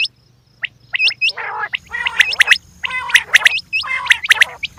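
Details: Female quails: hooked whistles, then a loud chorus of harsh rasping gargles overlapping sharp chirps, with a steady low hum behind.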